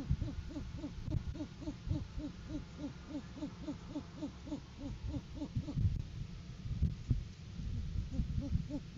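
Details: Great horned owl in courting season, 7 January 2023, captured on a live cam while the male brings food to the female: a long, fast, even train of low arched hoots, slowing slightly toward the end, over faint rumble.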